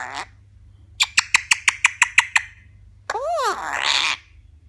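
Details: Eclectus parrot vocalizing: a rapid series of about eight sharp clicks, then an arched, voice-like syllable running into a harsh, raspy squawk.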